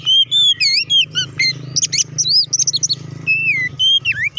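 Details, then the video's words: Oriental magpie-robin giving an intense 'ngeplong' song to provoke other magpie-robins. A nonstop stream of loud whistles, steep zigzag notes and harsh scratchy bursts, ending in long downslurred whistles. Steady low droning underneath. "KACER GACOR NGEPLONG TARUNG KONSLET BUKA PARU❗PALING AMPUH BUAT PANCINGAN KACER AGAR CEPAT EMOSI!"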